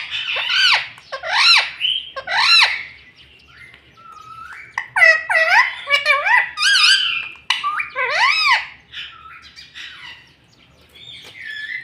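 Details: Pet parrot talking, repeating words like mummy, papa and mitthu; bursts of loud, nasal, word-like syllables with rising and falling tones, then quieter trailing sounds, in a quiet room.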